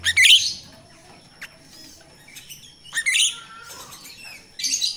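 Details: Jalak Rio-Rio myna song from the wild, a lure for training captive birds: loud raspy bursts opening and closing, a drawn-out thin whistle in the middle, quiet between.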